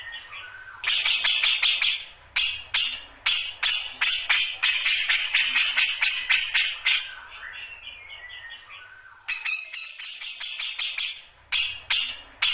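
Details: Grey-cheeked bulbul (cucak jenggot) just starting its ngombyok singing: bursts of harsh, rattling, buzzy notes repeated rapidly, about two or three a second, broken by brief pauses, with a short falling whistled phrase near the middle.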